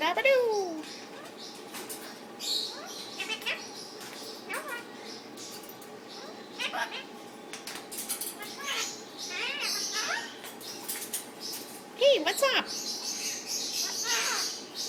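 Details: Pet Indian ringneck parakeet talking to its owner and a neighbouring caged bird indoors: short nasal, speech-like phrases with sharp falling and rising squawks, mixed with a woman's chatter and faint music.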